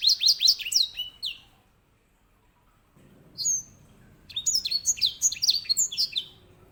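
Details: Edel sanger, or grey singing finch, giving a fast burst of sharp chirping notes, falling silent, adding one lone whistle, then resuming with a rapid rolling phrase of high slurred notes; faint low background hum.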